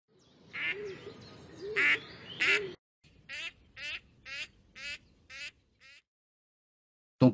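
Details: Female Gadwall giving its classic nocturnal flight call: three loud, nasal quacks, then about six shorter clipped quacks at a steady pace, ending with a sharp click. The calls show rising harmonics and risk confusion with other female ducks, especially Mallard.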